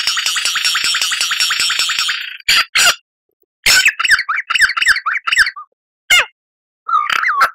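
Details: Lyrebird song used as a master recording for cage birds to copy: a dense two-second run of rapid buzzy trills, then separate loud squawky phrases and chattering bursts with short gaps between them.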